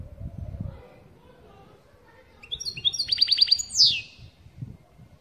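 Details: European goldfinch performing the "pat pat" call to excite another goldfinch: a brief, quick series of high chips and a rapid stuttered trill ending in one buzzy slurred note, amid low murmuring background noise.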